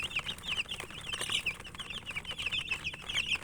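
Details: Several chicks feeding and chirping constantly, shrill short peeps tumbling over one another almost without pause, mixed with light pecking clicks.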